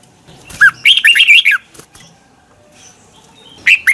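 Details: Red-whiskered bulbul singing in morning practice, used as a lure voice to push other birds into singing hard: one lively, chattering warbled phrase of looping whistles, then a pause and the start of another phrase.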